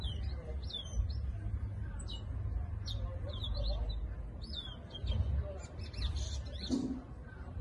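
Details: Brown towa towa seed finch in Guyana, kept for grooming and song training: quick, high, sharp chirps and short twittering phrases repeated through the whole stretch, over a steady low rumble of background noise.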